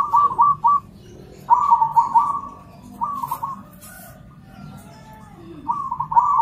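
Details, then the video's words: Several zebra doves, local birds and crossbreeds, calling back and forth in a lively chorus: short bursts of quick, trilling coos in separate phrases roughly every one to two seconds, with a low rumbling hum underneath. "Suara perkutut lokal dan crosing saling sahut rame semua ikut bunyi"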